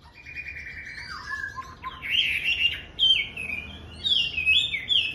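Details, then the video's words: A Chinese hwamei sings at the start of the day, holding a steady whistled note before bursting into a loud buzzy flourish and then sweeping, bright whistled phrases. "Hoạ mi hót ngày mới!"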